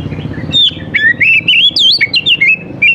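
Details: Oriental magpie-robin song played to coax young wild birds into singing: clear, continuous whistled warbling with rising and falling slurs and looping notes over a low background hum.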